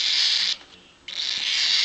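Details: Baby cockatiel chick hatched October 25, 2012, probably pearl-coloured, gives harsh hissing begging rasps in two long bursts, acting starved though still fairly full.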